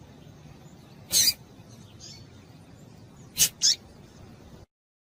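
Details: High, sharp chip notes from a female papa-capim seedeater, meant to set a male singing: one lone note, then a quick pair about two seconds later, over quiet hum.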